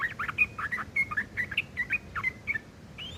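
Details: Yellow-vented bulbul giving a rough, harsh chattering known as ngeriwik kasar, used as tutor material for long-tailed shrikes: quick scratchy notes mixed with short whistled slurs, chattered irregularly and rapidly for about three seconds over a low background hum.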